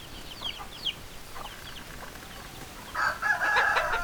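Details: Chickens, hens and roosters, with scattered short high clucks and chirps, then a loud harsh call in the last second, over steady background noise.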